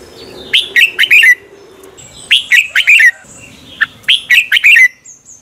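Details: Red-whiskered bulbul (chào mào) morning competition song, used as a decoy to train birds: three loud phrases of quick, bright whistled notes, each phrase a tumbling cluster of four or five slurred notes, separated by short pauses.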